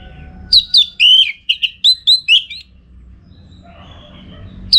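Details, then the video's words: Orange-headed thrush song used for training contest birds, from Singaraja, Bali: a quick series of about ten loud whistled notes, some slurred, then quiet with a faint hum. "Masteran ANIS MERAH Gacor Untuk Melatih Mental Burung Untuk Gantangan"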